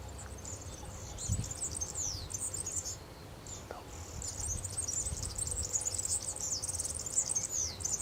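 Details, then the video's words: Free-living European serin in song at Zamudio, Txorierri, Bizkaia, on 6 May 2018: an almost continuous stream of shrill, jangling, fast-twittering notes, with a brief lull mid-phrase and low background rumble. "Canto de verdecillo en libertad"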